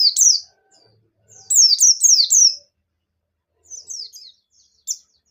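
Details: Bustomi white-eye song in the 'ngalas nembak' style, played to stimulate other white-eyes into song: shrill descending slurs repeated four times in quick succession, then a softer trailing phrase and a lone sharp note.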